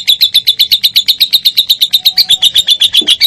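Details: Lovebird song played to stimulate other lovebirds to sing: evenly spaced, clipped high chirps repeated about four times per second in a tight, regular rhythm, with faint low background sounds.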